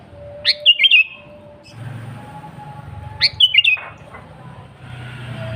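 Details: Sooty-headed bulbul singing vigorously. Two short bubbly phrases about three seconds apart, each a sharp rising note followed by three quick warbled notes, over a steady low background hum.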